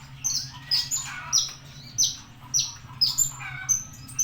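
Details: Javan bushlark giving sharp, high downslurred whistles repeated about twice a second, with softer twitters between them, over a low mechanical hum.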